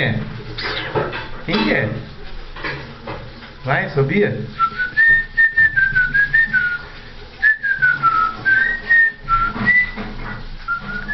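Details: Pet cockatiel whistling the Vasco da Gama anthem: a person talks for the first few seconds, then bright whistled notes follow in a wavering, stepwise melody of short phrases.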